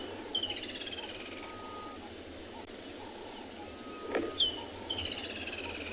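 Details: A woodland kingfisher gives two faint high calls, each a sharp note and descending trill, a late-season call on a morning safari drive in South Africa (18 March 2021), over steady wind or engine hiss and a thin whistled tone.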